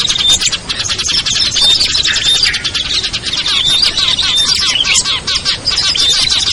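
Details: Chorus of small birds used as a lure for hesitant birds: high busy twittering with brief whistled notes and small dips in loudness, otherwise continuous chatter.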